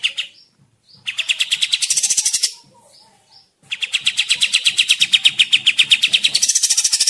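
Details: Kapas tembak bird in full song for forest trapping lures: two long, fast chattering trills of high repeated notes, brightening and rising near their ends, with a faint low murmur in the background.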